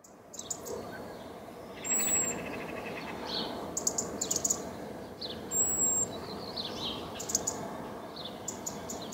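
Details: A European robin calling in a garden, giving thin, very high drawn-out whistles about four seconds apart, mixed with brief chirpy notes over a steady background hiss.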